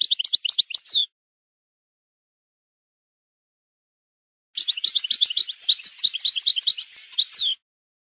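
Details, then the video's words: European goldfinch in maknin style, recorded for teaching young goldfinches: a short twittering phrase ending in a downward slur, then after a long pause a three-second run of rapid, jangling high notes with a buzzy middle. "chant maknin pour écolage jeune chardonneret"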